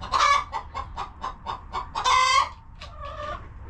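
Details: Coop chickens on a farm give a strong squawk, then a steady run of evenly spaced short clucks, another loud squawk, and a softer drawn-out call at the end.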